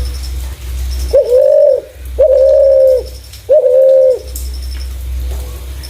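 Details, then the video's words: Spotted dove calling in a clear voice suited to luring other doves: three drawn-out, level, mid-pitched coos about a second apart, each nearly a second long, over a steady low background hum. "Burung Terkukur // Suara jernih cocok untuk pancingan"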